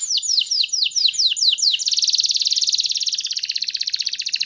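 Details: Canary singing continuously as a tutor to prompt young canaries into song: a run of repeated high downslurred notes, then a fast buzzy trill that slows into rapid pulsed chatter.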